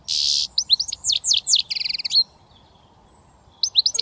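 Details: Young British European goldfinch starting to whistle: a harsh buzz, then a run of bright descending tinkling notes and a short buzzy trill, with a few more chirps after a pause.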